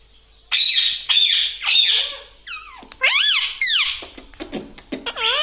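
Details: Talking pet parrot indoors, said to repeat "mitthu mitthu": three harsh, buzzy squawks at steady intervals, then looping wavy squeaks and a jumble of quick clicks and chattering syllables.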